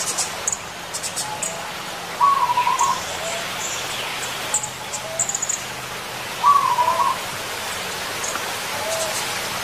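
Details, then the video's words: Zebra dove calling in the wild: two brief rolling, trilled coos about four seconds apart, with faint high chirps from other birds and soft background hiss. "Suara perkutut alam"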